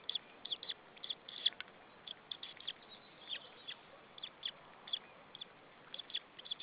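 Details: Nestling white-tailed eagle on an Estonian nest at Saunja, afternoon in late April, chirping while waiting to be fed by a parent; scattered high-pitched peeps in irregular bursts, some double, against faint constant background hiss.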